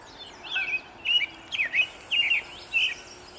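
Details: American robin singing in the early morning sun on 11 May 2013; short, clear, warbled carol phrases, each rising and falling, given in quick succession about every half second, with faint background hiss.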